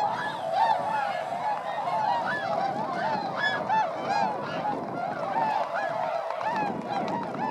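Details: Large flock of swans, about 905 birds, flying over rice fields at Motono, Inzai, Chiba, Japan, December 2014; dense overlapping honking and bugling calls with harmonics, many birds at once, continuous chorus with low rumbling background.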